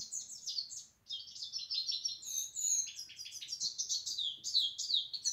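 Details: Lively European goldfinch song, a rapid rippling series of high twittering, tinkling and buzzy notes after a short gap near one second, delivered clearly with very little background noise.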